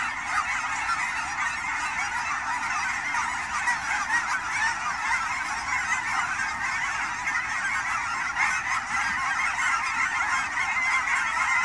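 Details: Wild Canada geese during fall migration at Fern Hill Wildlife Area outside Portland, Oregon: continuous chorus of many honking birds, busy and unbroken, with a few clearer single honks near the end.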